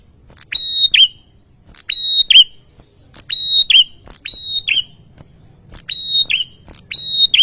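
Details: Persistent male bar-winged prinia song aimed at provoking a rival's answer: six loud phrases, each a flat ringing whistle ending in a fast downward loop, spaced about every second and a half, with a faint low background hum.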